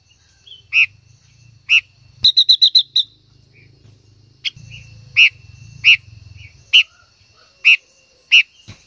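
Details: Female silver-eared mesia singing to stimulate a male: loud, clear notes repeated roughly once a second, broken by a quick burst of five rapid notes, over a steady low hum.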